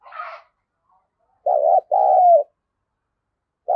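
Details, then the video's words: Spotted dove used as a lure for wild doves. A brief, higher rough note opens the passage, then one low two-note coo with a long, slightly falling second hoot. The next phrase begins just as the passage ends. "Chim Cu Mồi_cu gay kich boi nhanh noi gù"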